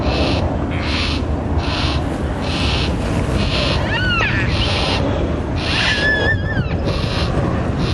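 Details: A fully fledged juvenile Yellow-tailed Black Cockatoo, still fed by its parents, gives nonstop harsh, wheezy begging rasps about every three-quarters of a second in a Banksia tree with its family of two adults and two young, over low rumbling background noise and brief whistles.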